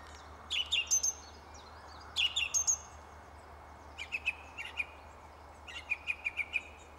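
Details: Song thrush singing in a tree: a bright phrase of sharp high notes and whistles delivered twice in a row, followed by quieter runs of clipped, repeated staccato notes, over a steady low hum.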